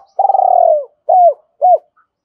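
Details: Cooing of a spotted dove kept as a decoy to lure wild doves, a purring drawn-out note dropping slightly in pitch, then two brief clipped coos.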